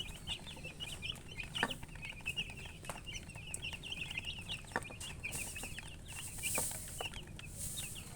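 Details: A brood of baby chicks chirping continuously, dense high peeps from several birds at once, with occasional clicks and rustling noises.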